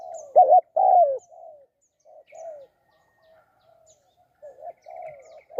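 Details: Spotted dove in a decoy-trapping setting giving soft, hooting coos. A loud wavering double note and a longer falling note open the phrase, followed by fainter repeated coos with pauses. Faint chirps are heard at times.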